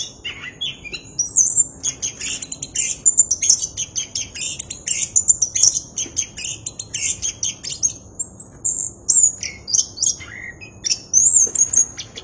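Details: Orange-headed thrush singing actively in a clear voice: a dense run of very high, varied chirps, trills and short whistles, nearly continuous over twelve seconds, with a faint low hum beneath.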